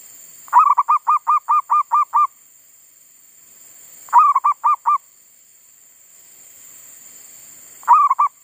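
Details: Zebra dove used as a decoy, singing again in a garden after being disturbed by wild monkeys: three phrases of low, quickly repeated hooting coos about four seconds apart, the first the longest, in quiet surroundings.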